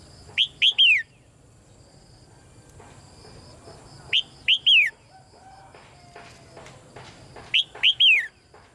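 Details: Repeated chirping of a red-whiskered bulbul, used to stimulate male singing: three loud phrases of three quick up-and-down whistled notes, spaced roughly three and a half seconds apart, with faint background ticking.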